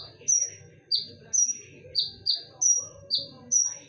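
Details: Konin song for luring: a steady run of loud, tonal whistles, high flat notes followed by pairs of slightly lower slurred notes, about nine in four seconds, with low-level hum behind.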